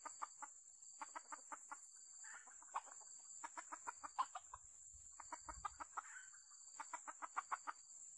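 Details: Red junglefowl heard while luring wild birds with a decoy, giving repeated clusters of rapid, sharp clucks with short gaps between them, plus a low thump and a continuous high insect whine.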